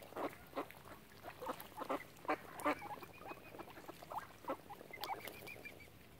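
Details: Crowd of ducks beside a swan family on Lough Neagh, Oxford Island, Ireland: quick, uneven run of gruff quacks, about two to three a second, with short high whistled notes near the end.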